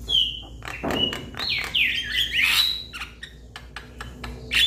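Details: Young Javan myna calling to its companions: a run of harsh, scratchy squawks and slurred, rising and falling whistles, broken by sharp clicks and a short broadband rasp.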